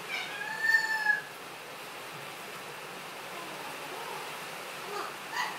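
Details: A 5-month-old female Eclectus parrot chatting during a storm gives a drawn-out, meow-like wavering note of about a second, then a few faint soft calls over a steady hiss of rain; the owner hears her meowing and laughing.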